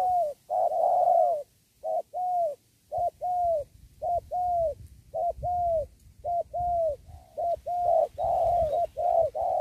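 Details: Spotted dove with a 'penguku' style coo full of fill notes, calling near a sacred tree to lure wild doves into a trap. A fast run of short, low coos, about nine phrases in ten seconds, over a faint low rumble.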